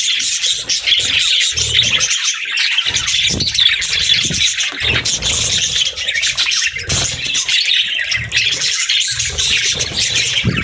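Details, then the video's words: A group of pet budgerigars chattering: a ceaseless mix of shrill chirps, warbling trills and squeaky notes, with soft low thumps now and then underneath. "Budgie Chirps & Sounds"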